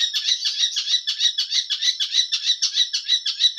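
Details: Long-tailed shrike giving a steady series of harsh, grating rasping notes, evenly repeated about three times a second, loud and clear without other sounds.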